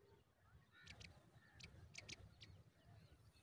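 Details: Pipit chicks being fed fresh food by their mother at the nest: short bursts of high, hissy squeaks in small clusters, with a steady low rumble of background noise underneath.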